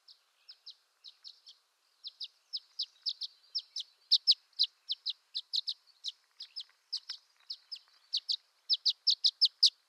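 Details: Violet-green swallow giving repeated high, sharp chip notes. They begin sparse, then become a fast, even series, sometimes paired, with no other sounds.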